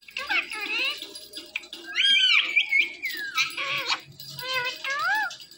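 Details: Indian ringneck parrot, a pet said to love watching a phone and talking to it, produces a run of wavering, voice-like syllables and squeaky, bent notes in quick succession, with low room hum.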